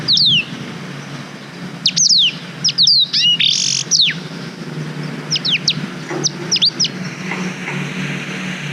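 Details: Black-throated canary singing for canary tutoring, recorded on a GoPro Hero 5: loud, sharply falling high whistles in scattered groups, then softer, more distant-sounding notes toward the end over a low hum.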